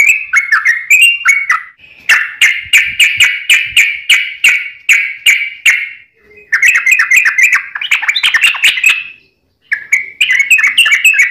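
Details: Sooty-headed bulbul song meant for training caged birds: rapid rhythmic repeated chirps in long unbroken runs, punctuated by two short silences, with rising and falling chattering variations.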